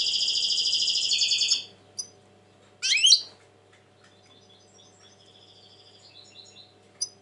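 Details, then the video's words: European goldfinch, reportedly very tense these days, opening with a loud sustained buzzy trill. A sharp twangy burst follows, then softer liquid twitters and one final clear chirp. "Saka kuşu ötüm"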